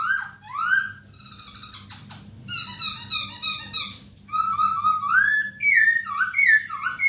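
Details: Masked laughingthrush singing, recorded as tutor material for captive birds: varied rich whistles, rising and falling slurs and buzzy chattering phrases delivered in quick succession over a faint steady hum.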